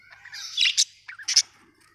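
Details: Pet budgies make quick, bright chirps and a short squeaky warble, in two fast bursts over two seconds.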